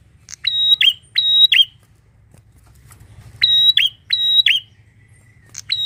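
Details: A bar-winged prinia sings loudly in a garden, clear piercing whistles snapping into buzzy ends, two phrases, a silent stretch of nearly two seconds, then two more phrases and the start of another.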